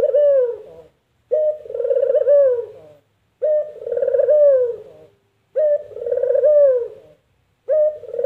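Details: Steady series of puter dove calls, the familiar "mpuk jerruuuu": four phrases about two seconds apart, each a quick note followed by a rolled, throaty coo ending in a downward slide, with near silence between.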